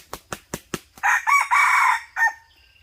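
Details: Red junglefowl recorded during a decoy hunt, 2022-2023: four sharp wing-claps, then a loud, harsh crow of several segments, each broken by a short gap, ending in a clipped final note. Faint insects hum in the background.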